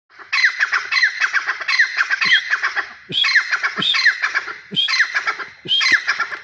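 Grey francolin giving loud, harsh, ringing phrases in repeated bursts about every 1.5 seconds, each a rapid series of shrill notes; low thumps underneath.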